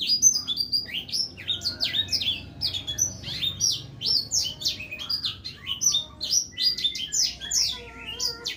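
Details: Blackthroat singing vigorously with clear tone: a fast, dense run of high twittering and warbled notes, sharp rising and falling slurs tumbling together without pause, a few steadier whistled notes near the end, over a faint low hum.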